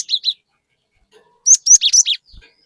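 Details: Cinereous tit giving rapid, sharp whistled notes as a lure to excite other birds. A pair of short chirps opens, then after a pause comes a fast run of five loud slurred whistles.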